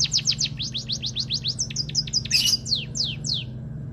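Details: White-headed munia producing rapid, high, falling chirps, then a short burst of harsher scratchy notes and a few slower downsweeps, with a steady low hum behind.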